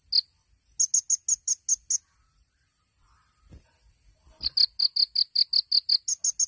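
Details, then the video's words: Sunbird, locally called kolibri ninja, in a lively 'tembakan' style training song: high, sharp chirped notes in rapid repeated runs, a burst of about seven, a pause, then a longer fast series of about fourteen. "MASTERAN KONIN TEMBAKAN MEWAH | SUARA BURUNG KOLIBRI NINJA JUARA"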